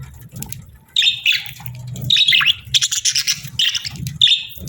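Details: Two budgerigars in breeding season chirp in quick, scratchy bursts of high warbling notes, separated by short gaps, over a steady low background hum.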